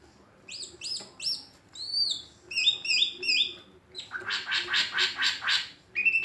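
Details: Greater green leafbird with an unusual voice: clear high whistles bending up and down, then a quick run of bright stepped notes, followed by a rapid buzzy series of about eight pulses and a final thin whistle.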